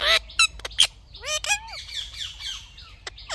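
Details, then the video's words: Indian ringneck parrot, presented as a talking bird, gives abrupt loud squawks and clicks, then a string of rising-and-falling warbled syllables, some sounding almost word-like, fading into softer chatter. "Funny Talking Indian Ringneck Parrot"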